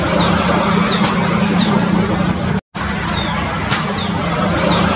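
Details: A wild shikra high in a tree along a busy Mysore road, recorded by mobile phone, repeats thin, high, falling notes in short series, partly buried in loud traffic noise, with a brief silent gap midway.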